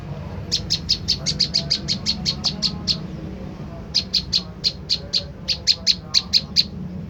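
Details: Lure recording of an olive-backed tailorbird calling to draw a response. Two long, even series of sharp, high-pitched chips, delivered about four per second with a brief break between, and a soft hum beneath.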